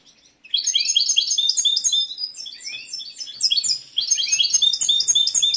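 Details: A competition-bred male goldfinch in peak breeding condition sings a dense, continuous stream of high, rapid chirps, trills and twangy notes while the female ignores him.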